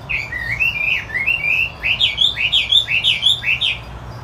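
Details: Gacor song of a Chinese hwamei called wambi putih, a brisk series of bright, looping whistled notes about two per second, quickening into tight repeated phrases, low hum beneath.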